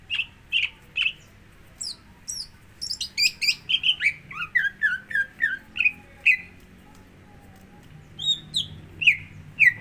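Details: Greater green leafbird singing as a lure to coax another bird into song: a few ringing whistled notes, then a rapid jumble of high chips and falling slurred whistles, slowing to scattered whistles with brief pauses.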